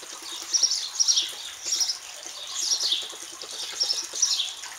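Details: Baby sparrows in a backyard nest in Azle give shrill, high chittering bursts in quick clusters, about seven bursts in five seconds, with faint hiss behind.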